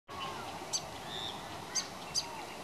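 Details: A grey fantail at Pacific Pines Central Park, Gold Coast, gives three sharp, high chips about a second apart and one thin faint whistle, over a steady hiss.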